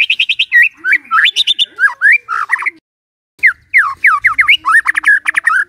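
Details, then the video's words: Morning song of a white-rumped shama, used to prompt a quiet bird to sing: varied rich whistles, slurred up and down, mixed with high chattering notes, a short pause midway. "Pancingan PAGI-PAGI AGAR MURAI GACOR❗sekali coba murai DIAM langsung bunyi"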